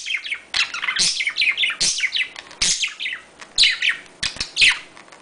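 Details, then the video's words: Budgerigars chattering in mating, rapid high chirps, short whistles and clicks delivered in lively bursts about once a second. "paring geluid van Australische papegaaien /parkiet paringsgeluid /parkiet geluid"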